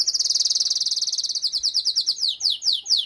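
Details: A female canary calls to ready the male after his moult, with a continuous high, rapid trill that gradually slows into spaced, downward-slurred notes.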